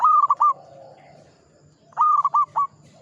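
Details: Mature local zebra dove, singing often, giving two quick phrases of clipped cooing notes about two seconds apart, with a low steady hum behind.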